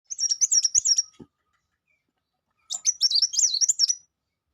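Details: Sangkrut bird singing two bursts of rapid, high chattering trills, each about a second long with a pause between, sharp twittering notes packed closely together.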